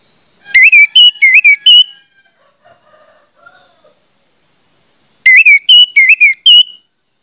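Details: Orange-headed thrush lure song to prompt other orange-headed thrushes to sing: a phrase of about five wavering whistled notes, a quiet pause with faint soft sounds, then the same whistled phrase repeated.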